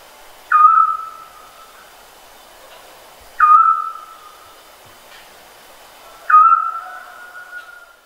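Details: Scops owl repeating a short, mellow whistled note three times, roughly once every three seconds, each sharply begun and trailing away; no other sounds beyond faint hiss.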